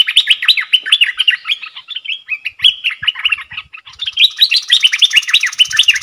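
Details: Bulbul in a cage singing a duel against wild birds, 3 October 2021: continuous rapid chain of liquid, chirpy whistled notes, with a brief lower drawn-out note midway before the quick phrases resume.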